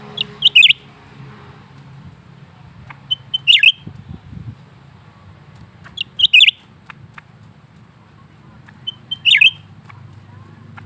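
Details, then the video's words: Captive lesser green leafbird singing continuously, delivering four clipped high phrases of short notes and a sharp chattering trill roughly every three seconds, with a soft low rumble and a few faint clicks between. "burung cucak ranting gacor terus menerus"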